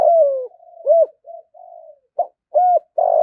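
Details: Spotted dove cooing to provoke rivals to a decoy perch: a drawn, falling coo, then an arched note, soft murmured hums, and three loud, clipped coos in quick succession.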